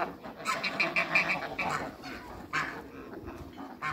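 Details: Domestic geese, Toulouse and African breeds, eight birds meeting newcomers: a quick burst of ringing, harmonic honks early on, followed by a few louder isolated honks with short gaps between.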